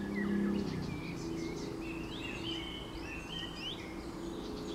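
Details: Eurasian golden oriole singing among other birds: clear, fluty whistled phrases with slurred bends, mixed with high chirps and twitters from other species over a steady low rumble of background noise.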